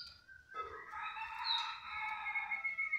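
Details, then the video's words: A pet canary, said to sing eagerly wherever it is placed, sings a continuous run of bright, rolling trills and warbling notes, high and sustained, with faint room noise behind. "kenari super gacorrr"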